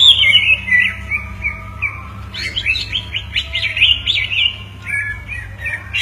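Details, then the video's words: Two greater green leafbirds answering each other in song: clear whistled and slurred phrases, a sweet descending sequence followed by rapid bright chirps and buzzy notes, over a steady low hum. "dua burung cucak ijo berkicau bersahutan"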